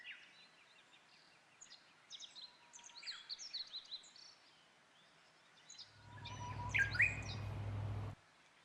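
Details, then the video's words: Japanese bush warbler (Horornis diphone) singing overhead on Mount Rokko, 21 March 2015 (spring equinox): a steady low whistle, then a quick rising flourish (hō-hokekyo), after busy high chirping from other small birds, with a low rumble. "ウグイスの鳴き声：鶯・鴬： Horornis diphone"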